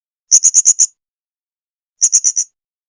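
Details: A 2021 masteran tutor recording of serindit, the Blue-crowned hanging parrot, singing: a quick string of five piercing high notes, then after a gap four more, each note clipped and evenly spaced, with no other sounds.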